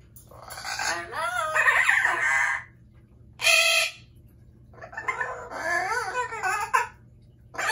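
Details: Loud pet Amazon parrots in a room: long bouts of raspy, warbling squawks, a short sharp scream mid-way, then more wavering harsh calls, with a constant low hum in the background.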